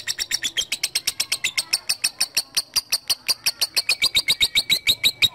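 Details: Lovebird calling out to a rival, a lure sound meant to spur long chattering; rapid, evenly spaced harsh chips form an unbroken rattling trill, bright and high, steady throughout.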